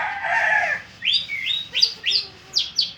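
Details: Orange-headed thrush singing: a long, hoarse, warbling phrase, then a run of bright, clear whistled notes, some rising and some falling, given in quick uneven bursts.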